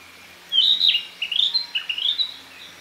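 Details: Among green leaves in northern Harima, central Hyogo, Japan, a Narcissus flycatcher sings: rich whistled phrases sweeping up and down, then a rising warbled run of quick notes, with quiet background hum.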